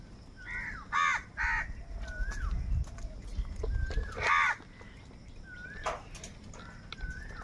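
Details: Several crows, described as fighting over food, give harsh, hoarse caws: short loud bursts near one, one and a half, four and six seconds, with softer, falling, drawn-out calls between, over a steady low rumble.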